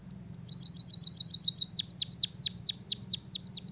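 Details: Caged white-headed munia kept as a songbird in Java, singing with canary-song mimicry: a fast run of short high ticking notes, then a series of loud downward-swooping whistles repeated about four times a second.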